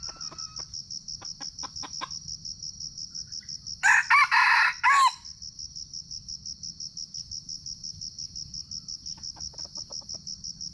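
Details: Red junglefowl, filmed on a GoPro during a decoy-luring session, gives one short, harsh, broken crow of about a second. A steady pulsing insect buzz runs throughout, with scattered faint clicks.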